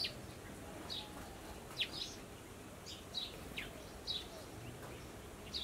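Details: Chestnut-tailed starling giving short, sharp, high chirps, about nine brief notes in under six seconds at irregular intervals, some with a slight downward slur, over a steady low background hum.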